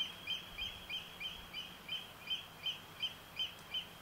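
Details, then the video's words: Eurasian oystercatcher recorded live on the night of 6–7 July 2014, giving a steady series of shrill, piping high calls repeated roughly three times per second, over a low background hum. "Oystercatcher calls"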